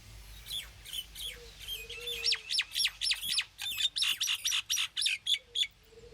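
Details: Common myna (Acridotheres tristis) in Amman, Jordan: quick chattering bursts of sharp high notes, about four a second, whistled strokes swooping up and down between harsher clicks, faint low hum beneath.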